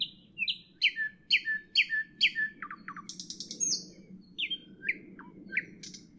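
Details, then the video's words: Nightingale sings in the evening with repeated sweeping, downslurred whistled notes, a burst of rapid clicks, then further whistles, with a steady low hum underneath. "Evening nightingale, nightingale song, nightingale"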